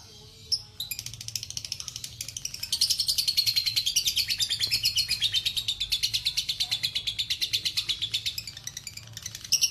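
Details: Lovebird delivering its long ngekek trill, a rapid, high, chattering run of evenly repeated notes that starts after a few sharp chirps and rolls on steadily for about six seconds before breaking off into scattered chirps.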